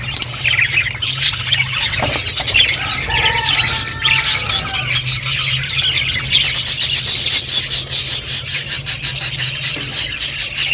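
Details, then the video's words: Budgies at their food, chattering in busy high warbles with a few drawn-out squeals and quick ticking sounds, a low droning hum underneath. "Beautiful budgies colour eating and chirping sounds"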